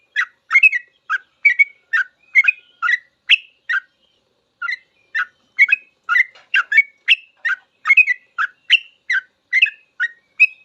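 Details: Sooty-headed bulbul giving a long 'full ropel' song, a master recording for teaching cage birds: bubbly, whistled two- and three-note phrases repeated rapidly, with a short pause near four seconds before the run resumes.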